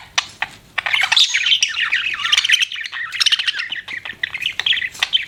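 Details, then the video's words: Pet budgerigars chatter continuously, mixing rapid warbled chirps with sharper squawking notes in a busy, unbroken high-pitched stream. "BUDGIES CHIRPING SOUND"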